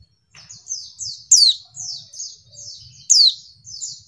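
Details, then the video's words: Female white-eye call meant to provoke males into calling as in the wild: evenly spaced short buzzy high chirps with two loud descending sweeps about two seconds apart. "pleci betina bikin jantan ngamuk"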